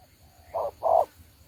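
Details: Caged decoy spotted dove from Đồng Ngô used to lure birds into a trap, giving one two-part coo: a short rough note, a short pause, then a fuller, longer note.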